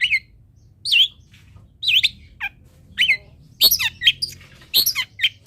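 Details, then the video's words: Long-tailed shrike song meant for other shrikes to learn: wavering whistled notes dipping and rising, then a run of harsh, scratchy chatter and high squeaks. "MASTERAN CENDET ANTI GAGAL - CENDET MANAPUN IKUT BUNYI DENGAR INI"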